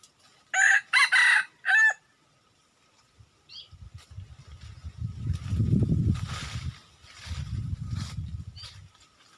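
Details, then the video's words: Red junglefowl, a wild rooster, crowing once: loud, raspy, in several clipped segments. Afterwards a long low rumbling and rustling noise swells and fades. "Tus Ntsuag lau qaib qus no qua ntxim tuaj kawg nawb"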